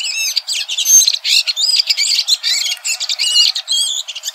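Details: Singing red-throated thrush in nature, delivering a busy stream of high, twisting whistles and squeaky chirps in short bursts, with barely a pause between phrases.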